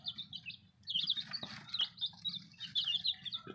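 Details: A group of baby chicks brought in today, peeping in a continuous high chorus of short trilled cheeps, with a few clicks and a steady low hum beneath.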